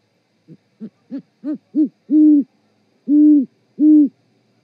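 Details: Mating duet of great horned owls at an osprey nest in Charlo, Montana, evening of 7 February 2018, from a live cam: short, low hoots growing steadily louder, then three long, sustained, deep hoots.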